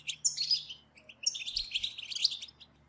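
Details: Several European goldfinches in a group chatter, used to stimulate goldfinches to sing: two bursts of bright, high tinkling twitters and buzzy notes, the first brief, the second longer, with a quiet pause between.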